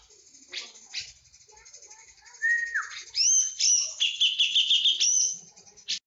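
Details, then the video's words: Javan cucak jenggot bird singing in full 'tembakan' style: quiet start with a few scratchy notes, then a falling whistle, high thin whistled upslurs, and a loud stretch of harsh rapid chattering notes. "Cucak jengot jawa full tembakan"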